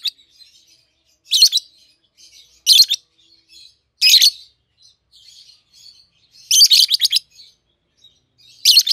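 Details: Captive young peach-faced lovebird pair, red-headed green opaline and red-faced dark green, 7-8 months old. Piercing shrill squawks spaced a second or more apart, one rapid stuttering burst, with quiet chatter in between.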